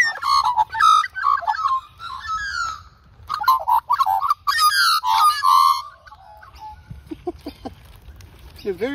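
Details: Two female Australian magpie siblings at a local reserve during a morning feeding session give harsh, nasal warbling calls in quick runs, one singing a lot, with a person talking softly and coaxing nearby.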